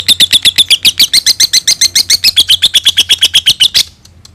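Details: Lovebird giving a long ngekek trill, used to prompt and train other birds: a rapid series of about twenty-five harsh, even chattering notes for nearly four seconds, loud and steady, then stopping abruptly.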